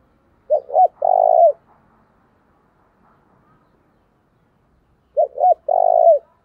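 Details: Fight-provoking call of a caged decoy spotted dove: two short curved coos then one steady drawn-out hoot, the phrase given twice about 4.5 seconds apart.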